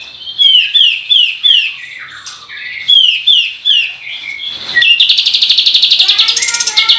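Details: Kapas tembak bird, a lure recording used to provoke other birds into calling. A series of bright, downslurred whistled notes is followed by a fast, buzzy trill of rapidly repeated high notes.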